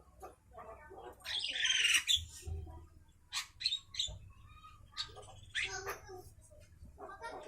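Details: Javan myna at midday giving harsh, squawky chattering notes in irregular bursts, some raspy and broadband, others short and nasal, over a low steady hum.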